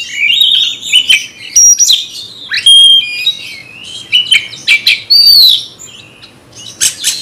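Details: Caged magpie-robin (kacer) provoked to fight a rival, singing in an agitated burst: loud, varied whistled phrases at high pitch, sharp rising and falling slurs mixed with harsh rasping notes, in uneven bursts with short gaps.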